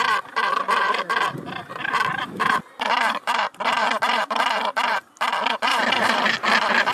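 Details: Northern gannets at their breeding colony on the sea cliffs of Helgoland, Germany: harsh, grating, rasping calls in quick overlapping bursts, some broken by brief gaps.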